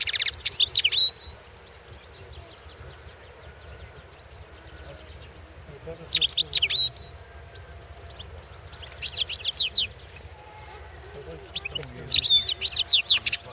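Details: European goldfinch singing at a 2016 world championship goldfinch song competition: four bursts of bright, high twittering and buzzy trills, each about a second long, separated by quiet gaps with faint low background hum.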